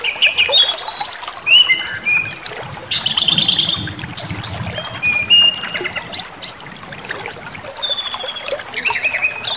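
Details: Brown-chested jungle flycatcher singing as a lure to rouse rivals: a rich medley of high whistles, buzzy notes and sharp trills, densely packed, with quiet low rumbling underneath.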